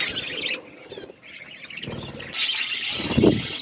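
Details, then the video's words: Budgerigar flock eating food: bursts of high, scratchy chirping and warbling, broken by quieter gaps and some low rumbling noise, growing louder and denser toward the end. "Beautiful budgies flocks birds eating food"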